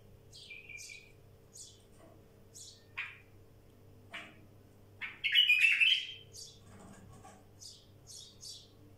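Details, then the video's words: Wild bulbul singing: short, high, scattered notes at uneven intervals, with one louder, harsher, rasping burst midway and a steady low hum behind. "تغريد بلبل وحشي"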